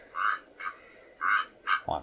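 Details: A Karoo korhaan (Eupodotis vigorsii) in the Karoo semi-desert of South Africa gives four harsh, frog-like croaks in two quick pairs over two seconds, ending with a low thump.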